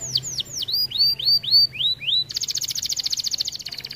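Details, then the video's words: Canary of the red variant in vigorous song meant to spur other canaries into singing: a string of downward-slurred whistles at roughly three per second, then an abrupt switch to a very fast, high, buzzing trill of rapid repeated notes. "Kenari RED VARIANT GACORR efektif rangsang kenari lain"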